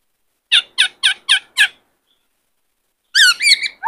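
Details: Harsh, grating notes from a caged white-cheeked laughingthrush: five evenly spaced rasping squawks, a pause, then a rougher, more complex chattering burst ending in a rising note.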